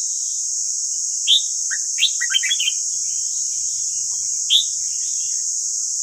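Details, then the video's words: Red-whiskered bulbul singing, recorded for training captive bulbuls. One ringing note, then a rapid cluster of tumbling whistles, and a final clear note, all over a steady high hiss. "Luyện giọng chào mào ép bổi ép má trắng |mau lên giọng chuẩn"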